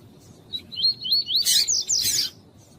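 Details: Double-collared seedeater, used to warm up a male for song tournaments together with a female's calling: a quick run of high, wavering whistled notes that breaks into a dense, buzzy twittering burst lasting about two seconds, with a low hum beneath.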